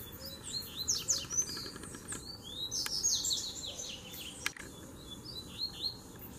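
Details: Three Double-collared seedeaters dueling after arriving at once to fight; soft, dense high chirps and overlapping whistled slurs, a few sharp clicks, low constant background noise.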